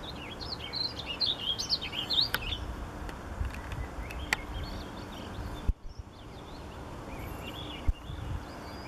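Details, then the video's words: Warbling vireo on 5 June 2014 on the Powerline Trail at the foot of Grouse Mountain, North Vancouver, BC, Canada, gives a quick rambling warble of rising and falling notes for about three seconds, then a fainter phrase, over low rumbling and clicks. "Warbling Vireo ウタイモズモドキ"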